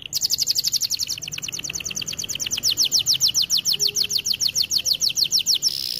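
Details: Canary on a training recording delivering one long, rapid, bright trill of evenly repeated sharp notes that slowly varies in pitch, ending in a brief held note.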